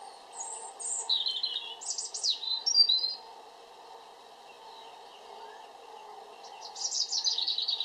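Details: European robin delivering varied high phrases: sweet thin whistles, sliding notes and quick trills across the first three seconds, then a pause, then a fresh rapid twittering phrase near the end, over faint low background hum.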